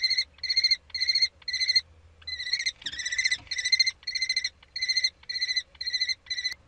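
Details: Common kestrels during a prey transfer on 3 May 2013 give a series of about a dozen shrill, trilled calls, two or so each second, briefly overlapping as two birds call together.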